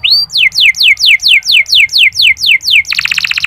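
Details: Canary song meant to spur sluggish male canaries into singing: a steady series of ten clear descending whistled notes, about three per second, ending in a fast buzzy trill.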